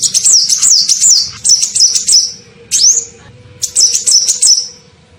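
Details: Lure call of a sunbird, locally called kolibri ninja, used to draw in birds: shrill squeaky twittering bursts with a rising sweep note, repeated with brief gaps.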